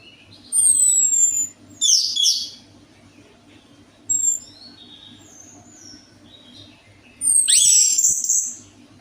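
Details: Orange-headed thrush song played as a lure to get a quiet bird singing: short bursts of high, sharp whistles and rapid chattering notes separated by silent pauses, with a longer, richer twittered phrase near the end.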